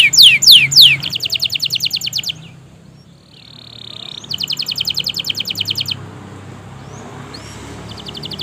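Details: Canary in long, vigorous gacor song, used as a lure to stimulate canaries that rarely sing: rapid steeply falling whistled notes, then a fast buzzy high trill, a brief pause, a second trill, and faint scattered chirps afterward.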